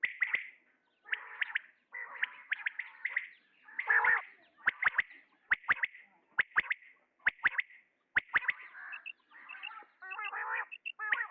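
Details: Male common quail calling: sharp, clicky notes grouped in quick triplets, repeated roughly every second, mixed with softer buzzy chatter and warbled harmonic calls from other birds near the start and end.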